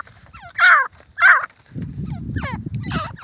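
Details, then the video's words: Grey francolin during a fight gives two loud, harsh, screechy notes about half a second apart, then fainter rasping calls over a low scuffling rumble. "Desi Teetar Ki Awaz"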